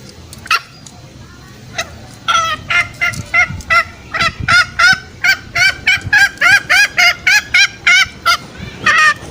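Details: Green junglefowl lure call used to draw out males for snare trapping in forest: a rapid series of short harmonic clucking notes, about three per second, growing steadier and louder after a sparse start.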